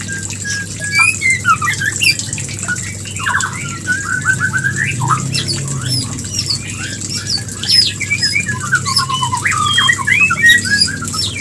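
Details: White-rumped shama mating song meant to bring on breeding: a long varied outpouring of whistles, trills and sharp high chirps, with quick note runs and a low hum behind.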